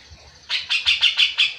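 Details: Grey-cheeked bulbul song, used to get lazy captive bulbuls singing, gives a quick run of six bright, chattering notes, about five a second, after a short quiet start.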